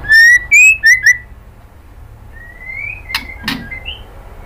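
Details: Female white-rumped shama calling the male, giving four loud, clear whistled notes in rapid succession, each slurring upward, followed by a softer rising whistle and a couple of faint clicks.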